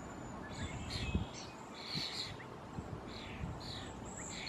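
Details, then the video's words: Juvenile European starlings calling in the Squamish River estuary, British Columbia: harsh, raspy high notes repeated at irregular intervals over a steady, heavy background rumble. "Juvenile Starlings Calling ~ European Starlings"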